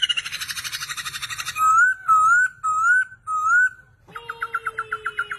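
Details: Chinese hwamei singing: a loud run of buzzy rattling notes, then four clear rising whistled phrases about half a second each, a short pause, and a rapid series of harsh clipped notes over a long low whistle.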